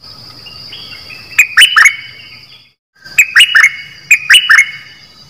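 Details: Kept decoy bulbul, one of a trio, delivering two bursts of chattering notes, each a cluster of sharp rising and falling chirps, over a thin high whine and low hum.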